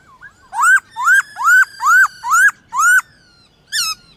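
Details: In a morning song contest against wild birds, a white-cheeked laughingthrush repeats a sharply rising whistled note six times about every half second, pauses, then adds one more.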